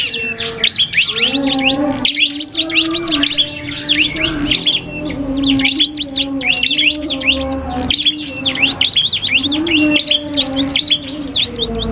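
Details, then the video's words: Common iora (cipoh kristal) trading song with a prinia: long runs of rapid zigzag chirps broken by short gaps, bursts every couple of seconds, over a persistent low drone. "FULL DUEL SUARA Cibelk kristal VS prenjak"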